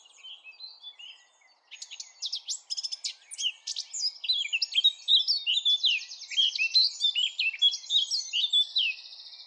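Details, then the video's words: A Eurasian blackcap sings a rich, rapid warble of varied chattering notes that builds into clear, fluty phrases, with faint background hiss. "SONG OF THE BLACKCAP"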